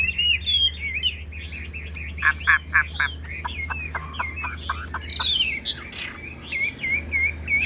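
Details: Chinese hwamei held in a cage, singing looping whistled phrases, then a rapid run of sharp clicking notes, a bright upward sweep, and more repeated warbled whistles; low steady hum throughout.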